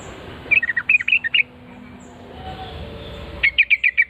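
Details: Trucukan (Sooty-headed Bulbul) answering right away after hearing a lure call, giving bright, bubbly notes in two quick bursts of about six short phrases each, the first rising and falling, the second more even, with a quiet gap between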